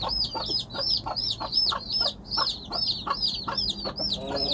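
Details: Hen calling her chicks with short low clucks repeated at a steady beat, about three each second, while the chicks answer with rapid high whistled peeps throughout.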